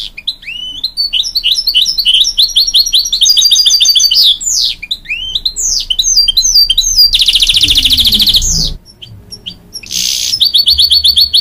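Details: Hybrid goldfinch, bred from canary and goldfinch, singing to encourage young chicks, long loud bouts of rapid high twittering and whistled sweeps, broken by a dense buzzy rattle and a brief pause.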